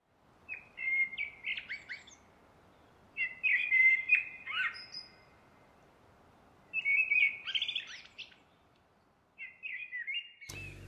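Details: A common blackbird in Ireland sings four separate phrases, each a mellow warbling start trailing into higher squeaky twitters, spaced about three seconds apart.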